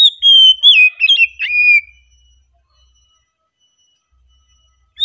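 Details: Oriental magpie-robin giving a calm song phrase: a loud sliding whistle, then quick twisting warbled notes that end in a falling slur, followed by silence.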